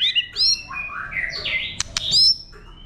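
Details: White-rumped shama wild-type song used to excite birds: bright upslurred whistles, a rolling warble sweeping up and down, two sharp clicks, then a final high rising whistle.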